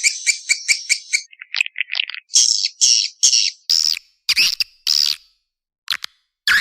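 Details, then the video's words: Swiftlet calls used to call in and get a response from swiftlets: a quick series of high, buzzy chirps, then longer raspy twittering notes in bursts with short pauses, ending in sparse sharp chips. "suara panggil walet respon"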